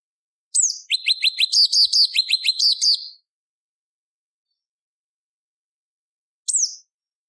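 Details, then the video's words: Sooty-headed bulbul lure song, a competition master recording used to make other birds sing: a rapid burst of high, sharply down-slurred chirping notes for about two seconds, silence, then one lone sweeping note. "Pancingan Cucak Cungkok Biar Bunyi ~ Suara Cungkok"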